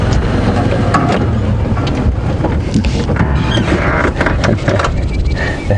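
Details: Steady low engine rumble and wind buffeting dominate, with faint voices and no animal calls.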